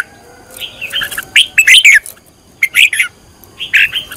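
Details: Red-whiskered bulbul, trained as a decoy singer, delivering a few bright warbling phrases of slurred whistles, rising and falling, with short silences between bursts.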